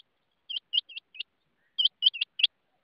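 Rain quail giving sharp, high, metallic notes in two quick bursts of four, separated by a brief pause; no other sounds intrude.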